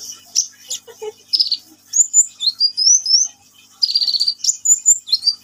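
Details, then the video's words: Sunbird, called kolibri ninja locally, singing energetically: high, thin twittering song of quick slurred whistles, some rising and some falling, in bursts separated by short pauses, with a few faint lower chips. "KICAUAN BURUNG KOLIBRI NINJA GACOR"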